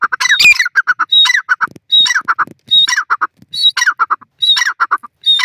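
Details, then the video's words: Francolin, described as a partridge, calling in the forest: loud, harsh repeated phrases. Each opens with a buzzy squawk and runs into quick short notes, recurring about once a second, with a thin high whistle between phrases. "pheasant speaks more in the forest,partridge speech"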